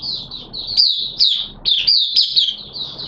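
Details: Hobby-kept oriental white-eye in wet weather, 6 September 2022, delivering buka sing: bright, high, fast twittering run of slurred whistles, almost unbroken across the whole stretch.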